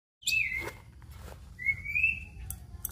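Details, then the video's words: Black-winged myna (jalak putih), a bird endemic to Indonesia, singing in the lively 'gacor' style full of imitated notes: a sharp falling whistle, then a longer rising whistle that levels off, with a few faint clicks between. "Jalak Putih Gacor Full Isian"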